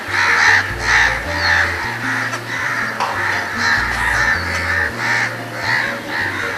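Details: Crows mobbing a perceived threat give a long series of harsh, raspy scolding caws, roughly ten in quick, irregular rhythm. Rhythmic background music plays throughout.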